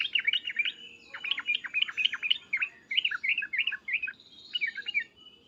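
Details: Loud agitated calls of a yellow-vented bulbul: bubbly, liquid two- and three-note 'uplik' phrases repeated in quick groups, with a soft background murmur.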